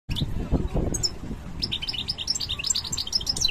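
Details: European goldfinch of the parva subspecies coming into breeding condition, giving high, thin twittering notes that start sparse and become a quick run of bright chirps in the second half, over a low, steady rumbling background.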